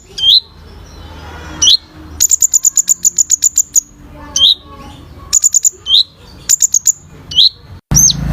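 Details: Olive-backed sunbird in vigorous song for training other birds: down-curving whistles open the phrase, then a long, fast, staccato trill, followed by shorter trills and further whistles, ending with a brief thump.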